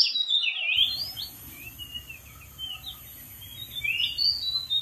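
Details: Oriental magpie-robin on a dead tree in the wild opens with a loud, rich whistled phrase. Softer, scattered whistles follow before another bright phrase near the end.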